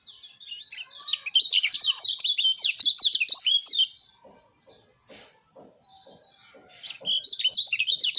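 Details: Lemon-bellied white-eye singing clearly: a fast, chattering stream of high warbled notes for about three seconds, a pause filled with soft clicks and hiss, then the rapid twittering resumes.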